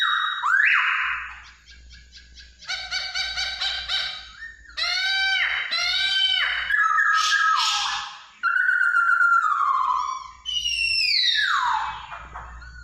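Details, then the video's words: Masked laughingthrush song: a varied run of loud whistled phrases with rapidly repeated notes, arched and sliding slurs, and a long falling whistle near the end, over a faint low hum. "Burung poksay hongkong"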